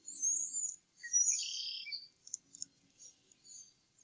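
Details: Two male eagles tidying their nest by eating leftovers after feeding eaglets, Upper Mississippi River Refuge, April: two piercing high chittering bursts open the recording, then scattered short squeaks.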